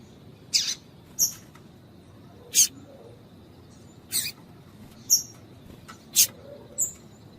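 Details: Female double-collared seedeater, a calling 'piadeira' female used to stimulate a male of the 'tui tui' song type: short, sharp high chips spaced irregularly, about seven in seven seconds, over quiet background hiss.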